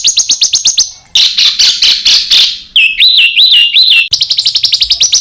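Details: Master birdsong for tutoring contest songbirds, full of dense rapid-fire fill notes: a fast high ticking series, a rough buzzy burst, then three looping whistled phrases that rise and fall, and a return to quick repeated chips.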